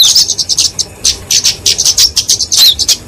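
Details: Flowerpecker (kemade, genus Dicaeum) fighting song used to train and lure small songbirds: rapid, very high, thin ticking notes in quick bursts, with a brief sliding whistle near the end.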